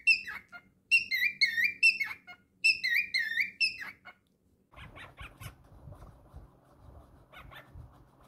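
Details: Pet male cockatiel whistling indoors: several quick bursts of bright harmonic notes in the first half, then softer scattered chirps over low background rumble.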